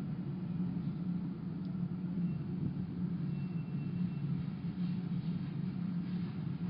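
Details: Steady low rumbling noise like distant traffic or wind, with no animal voice heard.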